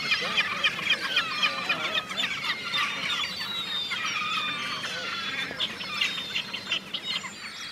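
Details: Caspian gull, a semi-rare bird in Sweden and the first recorded in the region, with harsh, nasal, laughing cries in a dense overlapping gull chorus, several each second, mostly high-pitched and ringing.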